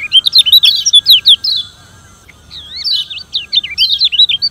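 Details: Yellow white-eye (Lombok zosterops) sings fast, high, twisting warbled phrases with rapid rising and falling notes, pausing briefly before resuming, over a faint low hum.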